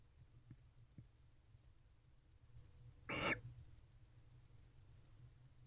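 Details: Male barn owl in a nest box before dawn on 3 October 2023, calling for a female, gives one brief, harsh, hissing screech midway through. A few faint clicks or taps come earlier over a low background hum.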